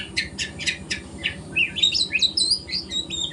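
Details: Young speckled White-rumped shama learning to sing at morning: five harsh repeated buzzy notes, then a fast tumbling run of high bright whistles.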